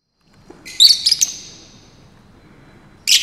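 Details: Fischer's lovebird at Saarbrücker Zoo, recorded 30 May 2018 while singing and dancing: shrill, high chirps clustered near the start, then a quiet pause before a final harsh burst.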